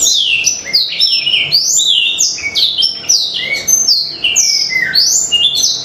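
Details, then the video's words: Black-throated canary in full, lively song used to prompt other birds to sing, a rapid continuous stream of varied high sweeping whistles, trills and slurred notes with no pauses. "BLACKTHROUT OVER GACOR || PANCINGAN AMPUH UNTUK BURUNG CEPAT GACOR"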